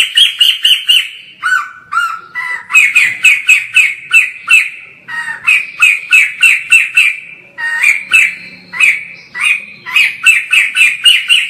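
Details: White-crested laughingthrush in full song, recorded from a distance: rapid rattling series of scratchy, downslurred notes about four per second, broken by a few lower, hoarser phrases, continuing through the whole stretch.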